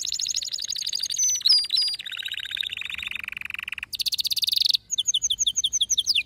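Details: Canary pouring out a fierce song of stepped trills, each roll dropping lower in pitch, then a very rapid high buzzing trill and a string of quick repeated whistled notes.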